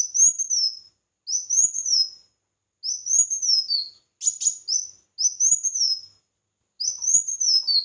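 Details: Red-whiskered bulbul singing in competition, six repeated high arched whistles with falling tails, one interrupted by a brief harsh note, spaced by short silences.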